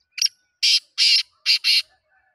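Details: Black francolin call: one brief rasping note, then four loud, harsh, scratchy bursts in quick succession, grouped roughly as one, one, then a close pair, over an otherwise quiet background.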